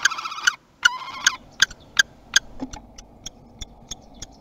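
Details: Common kestrel at a nest box in Théding, France, on its first 2021 visit on 30 March: several short, strident harmonic calls in quick succession, followed by a series of dry, evenly spaced clicks.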